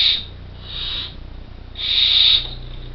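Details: Soft then louder hissing snores from nearly fledged Barn Owl chicks, four young in an artificial nest box in Co. Kerry: three breathy rasps within three seconds, the last the strongest, above a faint low hum.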